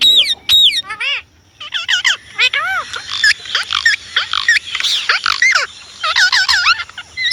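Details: Indian ringneck parrot chattering quickly, with a run of short arched squeaky notes and harsh screeches overlapping one another with barely a gap.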